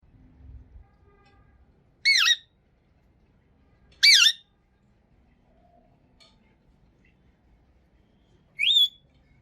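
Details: Green talking parrot from Pakistan, indoors, giving three loud, harsh, wavering squawks about two seconds apart, each short and rasping, with a quiet room hum between them.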